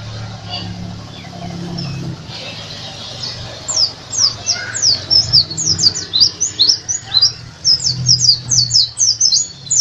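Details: A Bali white-eye (pleci dakun), a national champion singer, sings in rapid, very high, thin twittering chirps, strung together in quick bursts after a few quiet seconds, over a low background hum.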